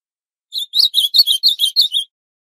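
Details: Northeastern ultramarine grosbeak singing a single warbled phrase of about nine quick, sweet, high notes, run together over one and a half seconds, with silence before and after.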